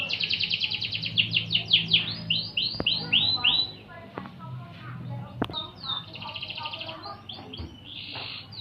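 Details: Canary singing on a master recording for training magpie-robins: fast buzzy trills of repeated high notes, then sweeping downward-slurred syllables in rolling tours, with a brief sharp click midway and a faint low hum beneath.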